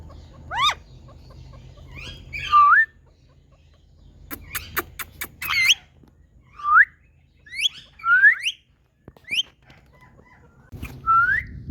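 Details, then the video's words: Indian talking parrot, a pet bird, making spaced rising whistled squawks between quiet gaps, with a burst of sharp clicks and a low hum in parts. "Indian Talking Parrots"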